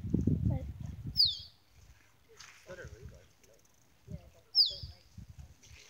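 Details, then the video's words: At Lysterfield Park, Victoria, Australia, a male Musk Duck displays to females, giving two sharp descending whistles a few seconds apart; people talk at the start and in the middle. "Male Musk Duck Mating Call"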